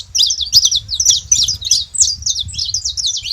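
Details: Saffron finches in a free-living wild flock, chattering song of rapid high chirps and slurred twitters packed closely together, several birds overlapping, light low background rumble.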